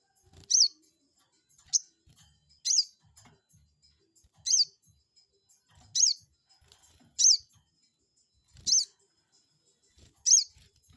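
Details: Crested jay lure, meant to provoke a rival into answering: sharp, shrill, high calls sweeping quickly down then up, eight calls in about eleven seconds at uneven spacing, with faint low thumps between them.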